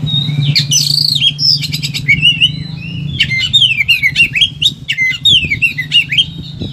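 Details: Agitated caged Oriental magpie-robin in high excitement, pouring out a fast, varied song of whistled sweeps, rapid ticking trills and descending slurred notes, mostly high-pitched, with a steady low hum underneath; offered as a master recording to prompt quiet magpie-robins to sing.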